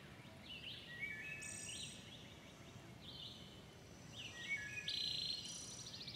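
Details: Dawn chorus with a wood thrush repeating its song roughly every one to two seconds. Each phrase climbs through flute-like notes and ends in a bright, shimmering trill, over steady low rumble.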